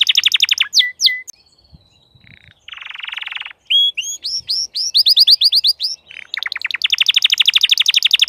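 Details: Crested canary singing in full form: bursts of rapid repeated notes, a buzzy rolling trill, then upward-sweeping whistled syllables and a fast high trill, varied phrases switching every second or so.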